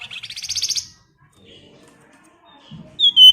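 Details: Female Flamboyan calling to the male: a rapid, buzzy ngebren-style rattle of high pulses, a quiet pause with faint low rustling, then the start of a sharp high whistled note.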